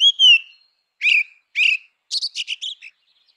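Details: Grey-winged blackbird song: a long clear whistle, two shorter fluty notes, then a fast stuttering series of five or six buzzy chips; still background.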